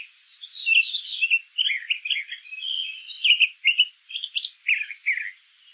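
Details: Brown thrasher in nature singing a continuous jumble of warbled and scratchy notes, grouped in short repeated bursts, fairly loud and close against a quiet background.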